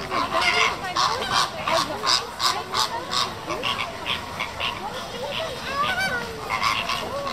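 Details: Captive flamingo flock at Tierpark Hagenbeck zoo in Hamburg: a dense, steady chorus of overlapping goose-like honks and nasal chattering, with many birds calling at once and no clear pauses.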